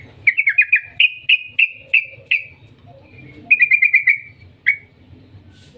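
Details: Yellow-vented bulbul lure song meant to set other bulbuls singing: a run of quick, slightly falling chirps repeated roughly every third of a second, a short pause, then another fast cluster and a lone final note, with soft low rumble behind.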